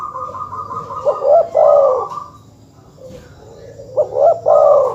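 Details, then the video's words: Dove cooing to rile up rivals: two phrases, each opening with quick clipped notes and running into a throaty warbled coo, with a brief lull between them. "suara masteran terkukur/kutut bikin emosi lawan"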